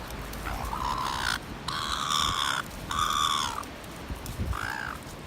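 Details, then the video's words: A gull at North Shore bullying other gulls and keeping them from food gives harsh, drawn-out harmonic calls, three long squalls and a shorter arched one, over a steady background rush. "Bully seagull at North Shore"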